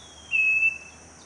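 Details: Scaly-breasted wren (Microcerculus marginatus) at Cocorná, Magdalena Valley, Colombia, giving a single long, pure, steady high whistled note against a quiet background hiss.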